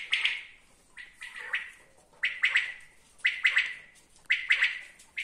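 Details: Common quail calling: sharp three-note bursts, each note a bright clipped whistle, phrases repeated about once a second with short silent gaps, no other clear sounds.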